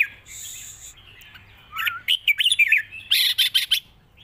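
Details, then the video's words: Red-whiskered bulbul kept as a Thai cage bird, praised for singing easily and for a long 'rik' song; a rising whistle leads into a rapid run of bright, tumbling notes, followed by harsher chattering bursts. "ปากเบา+ร้องง่าย เพลงยาวมีริก"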